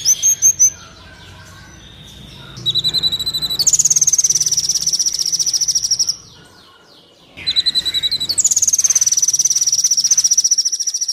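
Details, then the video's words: Kolibri Wulung sunbird song for training cage birds to sing: quick high notes, then long rapid high trills separated by a short pause, over a constant low background hum. "30 menit pancingan/masteran Kolibri Wulung full isian mewah"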